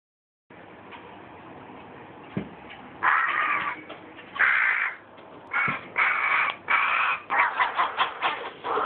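Carrion crow nestling giving harsh, nasal caws, first two drawn-out, then a run of shorter rasping calls about every half second over faint background hiss.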